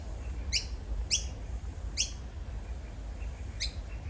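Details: A young Noisy miner in Australia, calling repeatedly at an angry adult, gives four harsh, sharp begging calls, each brief and slightly downslurred, at uneven intervals over a low rumble of wind or distant traffic.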